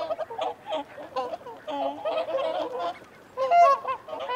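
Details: Softer, scattered honks from a flock of whooper swans giving feeding and territorial calls, broken by a quiet lull before a loud bugled burst near the end.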